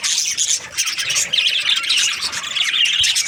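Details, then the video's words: Several Australian budgerigars, happy and in breeding season, give a lively mix of high chirps, squeaky whistles and rasping warbles that swell and overlap continuously. "Happy budgies chirping sounds |Australian budgies breeding season"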